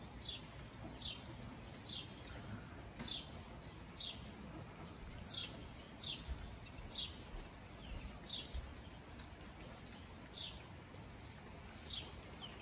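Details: Cedar waxwings, wild and in a flock, keep up a run of high, thin, downward-sliding whistles, one every half second or so, over a faint continuous hiss.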